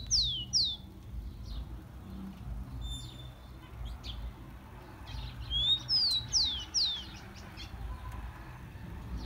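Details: Tico-tico, the Rufous-collared sparrow of Brazil, singing to fire up captive birds: two falling whistles open, a brief steady tone follows, then a full phrase of rising and sliding whistles trailing into faint ticking notes.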